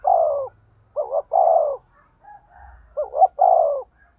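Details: Spotted dove used as a decoy, 'thổ' voice, cooing in 'thúc gù' style: a drawn-out falling coo, then a doubled note leading into another long coo, repeated twice, with faint soft notes between.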